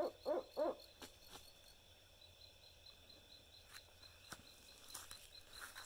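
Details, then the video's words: One of a pair of barred owls, answering playback at night in woods in central Texas east of Austin, gives two quick, mellow hoots in the opening second, then silence apart from a few sharp clicks and a faint, steady high insect-like drone. "Barred Owl Calls"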